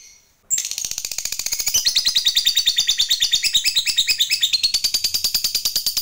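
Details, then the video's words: Lovebird singing as a lure for other lovebirds, starting abruptly after a brief quiet moment into a long, rapid, buzzy chattering trill of high notes that grows louder and keeps going. "BANYAK LOVEBIRD LANGSUNG BUNYI, Setelah DI RANGSANG Dengan Suara Lovebird ini"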